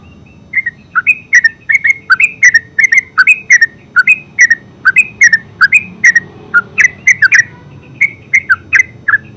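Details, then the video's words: Long ngeropel song from a yellow-vented bulbul (terucuk): a continuous stream of rich, bubbling whistled notes, about three per second, each with a quick upward or downward twist, sustained for nine seconds over faint low hum. "Terucuk full suara ngeropel"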